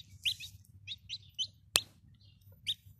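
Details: Young domestic chickens give a few scattered high, slurred peeps, spaced unevenly, with one sharp click midway and a low hum underneath.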